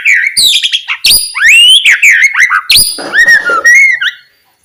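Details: Loud, varied white-rumped shama song used to get quiet shamas singing: bright swooping whistles mixed with harsh notes, delivered in dense bursts before fading out.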